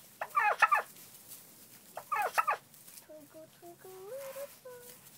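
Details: Barn turkeys give two short, rattling, harmonic bursts about two seconds apart, followed by a series of thin, clear, rising peeps.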